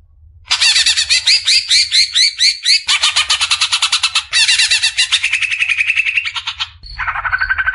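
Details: Greater green leafbird, used to tutor caged songbirds, pours out a long varied sequence of rapid buzzy and rasping trills, shifting pitch several times and ending in lower rolling notes.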